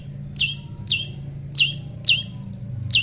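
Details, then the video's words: Prinia during natural pairing: five loud, high chirps falling sharply in pitch, spaced about half a second apart, in a quiet setting. "prenjak lumut jodohan alam"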